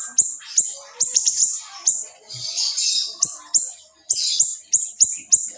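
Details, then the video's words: Young siri-siri, recorded as a master track for songbirds, giving spaced, very high, sharp whistled shots about every half second, broken by a brief buzzy, hissing passage in the middle. "masteran siri" kecil super gacor tembakan rapat & tajam"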